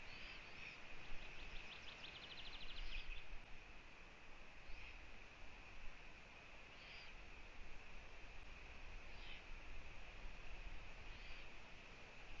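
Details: Eurasian eagle-owl at a nest with owlets in Latvia, on a live nest camera, as the female visits her young on 1 June 2017 at 15:01; short harsh hissing bursts recur every two to three seconds after an opening rapid trill from another bird.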